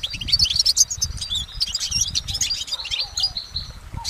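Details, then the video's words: Goldfinch song in nature, somewhat quieter: jumbled high chirps and twittering phrases running continuously, with light low-pitched background noise. "Exceptional recordings of the goldfinch in nature"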